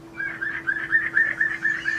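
A Piping Plover gives a rapid run of clear, mellow piping whistles, about four a second, over a steady low electrical hum.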